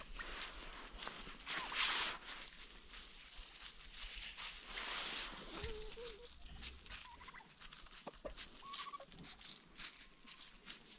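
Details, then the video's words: Domestic turkeys sounding the alarm, alongside a dog, at noises heard in the forest: loud, rattling gobbles in two main bursts, with a few short, higher calls between them. "The turkeys and the dog sound the alarm"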